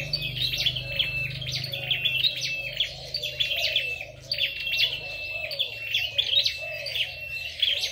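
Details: Red-headed flowerpecker contest song: a steady run of high, buzzy twitters and short trills over a thin whistled tone, with a gentle low warbling and some low hum.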